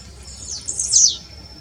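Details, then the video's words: Blue-black grassquit song: a single high, thin buzzy phrase that sweeps up and then falls, lasting about half a second, over a faint steady high-pitched insect-like tone and a quiet low rumble. "O canto do tiziu"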